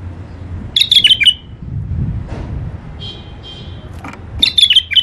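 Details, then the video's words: Tame bulbul kept caged with its mate, male and female: two clear phrases of rapid sweet whistles, each sliding downward, separated by about three seconds of quiet with a faint thin tone. "بلابل اليفات قفص تغريد حلو"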